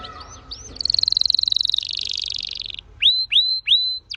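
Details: Red Factor Canary in fast, varied song: soft slurred notes, a long rolling trill that drops in pitch, then three rising hooked whistles; faint low background hum.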